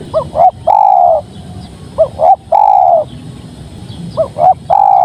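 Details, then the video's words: {'caption': 'Spotted dove singing a steady cooing song: three phrases, each two short rising coos followed by one long, even, mellow coo, repeated roughly every two seconds over a low background rumble.'} "Suara Tekukur Padu Enak Didengar"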